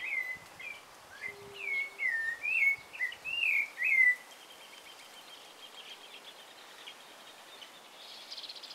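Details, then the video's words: Rufous-bellied thrush singing at sunrise: a run of clear, slurred whistled phrases rising and falling for about four seconds, then quiet background hiss with a faint low steady tone. "Canto del Zorzal - Canto do Sabiá Laranjeira - Z. Colorado (Turdus Rufiventris)"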